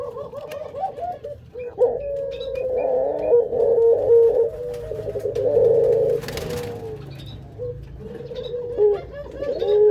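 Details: Barbary dove of breeding stock cooing repeatedly in a room: wavering, mellow coos and rolling phrases, with a brief burst of scraping noise partway through.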